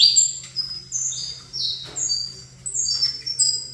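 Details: Saffron finch in captivity, set opposite another saffron finch, giving spaced, clear, high whistled notes and short sharp chips at roughly half-second intervals, with a faint steady hum in the background.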